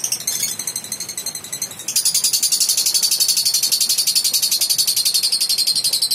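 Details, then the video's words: Young balibu lovebird in active ngekek singing, giving a long chattering song: a fast, very high, steady run of buzzy pulses about four per second that steps up in loudness partway through and carries on unbroken. "LOVE BIRD BALIBU GACOR NGEKEK PANJANG"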